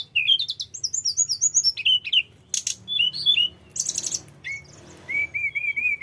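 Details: Tledekan gunung flycatcher in rolling, varied song used for luring birds: quick high twittering phrases dropping into slurred whistles, noisy bursts, then repeated wavering whistles.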